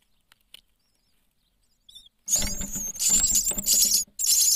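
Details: Six-day-old nestlings in a nest box, fed often by a parent that also cleans the nest; near quiet with faint ticks, then a loud, harsh, high hissing and squeaking chorus bursts out for the final two seconds.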